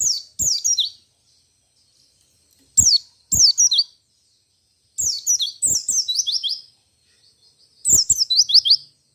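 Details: White-eye singing in the 'ngalas ngerol nembak' style, a song said to make other white-eyes answer: short bursts of very high, rapid, sliding twittering notes stepping downward, in groups separated by pauses of one to two seconds, with sharp clicks.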